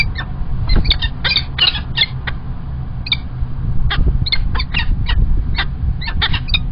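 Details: Peregrine falcons at a Kingston College nest site in the UK, 1 March 2021, as the male brings early breakfast: a fast run of loud, harsh, repeated squawking notes, several each second, with low background rumble.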